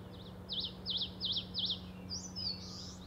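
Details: Eastern crowned warbler singing at Shari, Hokkaido, Japan: a quick run of five high, wavering double-inflected notes, then a longer, buzzy, drawn-out ending note, over a steady low hum.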